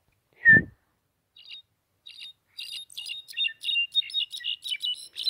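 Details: A pet European goldfinch singing; after a sharp squeaky note and a few scattered chirps, a rapid, high, twittering song builds, with tinkling notes tumbling in quick succession.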